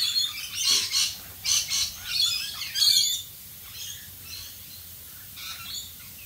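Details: Rainbow lorikeets in Australian rain give loud repeated harsh screeches in quick bursts for about three seconds, then fainter scattered notes, with rain hissing behind.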